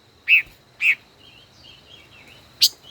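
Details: Singing duel by a caged five-colored bird, a decoy over a year old in captivity: two loud chips, soft rising and falling whistles, then a sharp high note.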